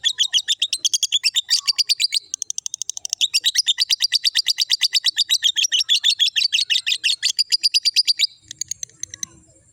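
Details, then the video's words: A lovebird in full ngekek, a long unbroken chatter of rapid, high-pitched, rasping chirps sustained for about eight seconds after a short opening burst, ending abruptly and followed by a faint low rustle. "love bird ngekek"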